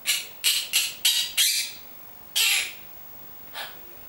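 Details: Talking pet monk parakeet saying its name and words: a quick run of five gravelly, buzzy syllables, then a longer harsh phrase and one softer final burst.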